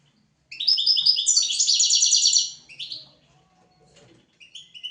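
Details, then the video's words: European goldfinch song meant for tutoring goldfinches and canaries: a sustained, bright, rapid twitter blending into a dense trill for about two seconds, followed by a few faint short notes. "تغريد طائر الحسون حفاضة لتعليم طيور الحسون والكناري بدون أخطاء"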